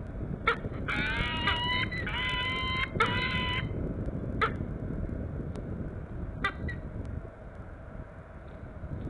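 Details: Peregrine falcon at a nest on Norwich Cathedral, UK, 27 August 2014: harsh, nasal, harmonic calls in three quick bursts, then a few single sharp notes, over a steady rumble of traffic and wind.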